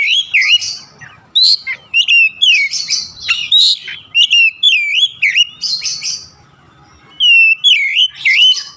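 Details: Oriental magpie-robin song: loud, rich whistled phrases with swooping rising and falling notes mixed with sharp chips and fast trills, delivered almost continuously with brief pauses, clean and free of other sounds.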